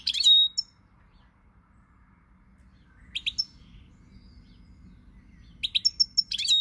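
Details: European goldfinch song recorded 20 March 2020: three short bursts of bright, high twittering notes with a sharp downslurred tone, separated by quiet gaps.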